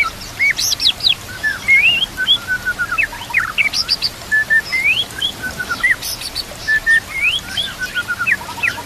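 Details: White-rumped shama song from a training recording set with nature sounds and trickling water: loud, varied whistled phrases, rising slurs and sharp high notes in quick bursts, with a repeated motif returning after about five seconds.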